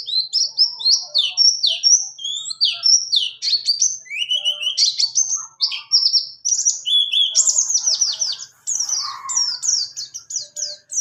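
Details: Long rolling 'ngalas ngerol' song of a buxtoni white-eye, meant for tutoring other birds: varied high whistles, trills and downslurs pouring out continuously, ending in evenly repeated sweeping notes.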